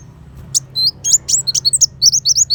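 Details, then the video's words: Fast 'besetan' song of the kolibri wulung sunbird, a master for training shamas: isolated sharp ticks build into a rapid, accelerating run of high twisting notes. "Pancingan Kolibri Wulung Full Tembakan Besetan Pedas"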